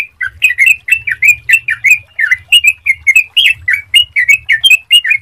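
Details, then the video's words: Sooty-headed bulbul singing clearly as a lure to prompt other bulbuls to sing, a steady, unbroken stream of short, warbling whistles with quick upward and downward slurs and soft low hum behind. "Pancingan Suara Jernih Untuk Trucukan Agar Cepat Bunyi"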